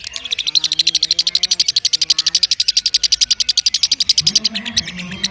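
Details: Lovebird giving a long ngekek trill: a fast, unbroken rattle of sharp, high pulses, roughly eight a second, sustained for over five seconds, with softer lower tonal sounds running underneath.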